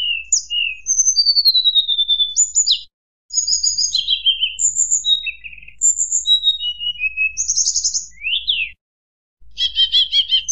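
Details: Varied flute-like song of a white-browed shortwing intended to provoke rival birds: rising and falling whistles, buzzy clusters and quick upward sweeps in long phrases broken by brief pauses, ending in harsh rattled notes.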